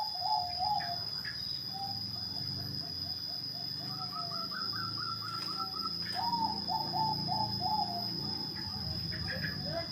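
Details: A Bangkok zebra dove gives soft, rapid series of low beaded coo notes in several phrases, with a constant thin high whine and some speech-like murmur and noise behind.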